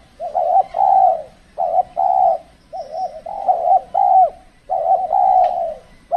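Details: Spotted dove from Kepri, Indonesia, heard while trapping with a decoy in cold weather when the birds lack boldness. Continuous run of mellow, throaty coos, paired short and long notes repeating steadily, with one faint sharp click.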